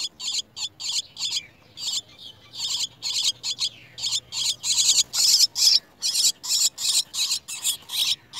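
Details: Chestnut-tailed starling (Sturnia malabarica) chicks at the nest, being brought worms by a parent, give rapid, harsh, high-pitched begging calls in fast bursts, roughly two or three a second, rising in intensity.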